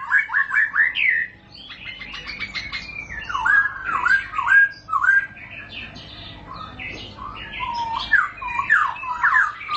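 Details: Long-rolling song (ngerol panjang) of a white-rumped shama, or murai batu: quick rising whistles at first, then varied slurred and chattering notes, about 105 phrases a minute, sung in a small room.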